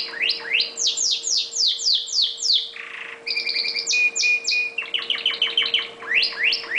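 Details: Red factor canary kept as a pet, singing a rapid varied song: rolling series of sweeping whistled notes, a short rasping buzz, stuttered trills and a held pure tone, phrases repeated several times a second over a faint steady hum.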